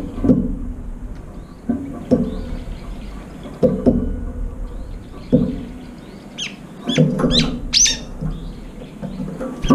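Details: Late-arriving brown-eared bulbuls compete at a feeding bowl running out of food; after several dull knocks, a rapid cluster of shrill, high squeaky calls comes in the second half amid scuffling.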